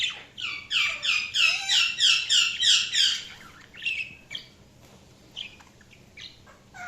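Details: Budgerigars chirping: a quick, regular series of about ten bright, warbled chirps, roughly three per second, followed by softer, sparse twittering notes.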